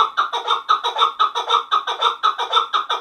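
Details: Chukar partridge calling in a steady series of hoarse clucking notes, about two per second, each a rich harmonic burst with no pause in the run.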